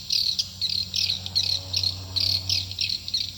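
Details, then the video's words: Swiftlet call played to attract swiftlets into a nesting building: bursts of high, buzzy chirping twitters repeated in quick succession, roughly two to three per second, with a steady low hum beneath. "Suara panggill burung walaet"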